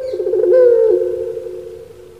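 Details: Captive puter pelung turtle dove, a bird famous on Java in Indonesia, giving a sustained low coo that swells, bends slightly downward and then trails off evenly.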